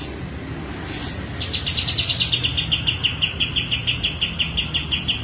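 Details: Breeding-condition kapas tembak (sooty-headed bulbul) with spread tail, after one sharp note, rattling off a long rapid string of high chipping notes, about three per second, over constant low background rumble.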